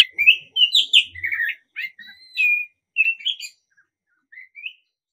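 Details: Oriental magpie-robin, black-breasted form, singing in the morning, used as a lure to get other birds singing; bright whistled phrases and rising chirps in quick bursts, then a softer trailing phrase after short pauses.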